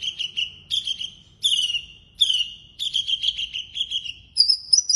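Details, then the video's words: Javan bush lark of the blorok type, singing busily in the full isian style: a run of short bright chirped phrases, some sliding downward, repeated about every half second, ending on higher thin whistled notes; a low faint hum underneath. "Branjangan Javanica Blorok Gacor Full isian"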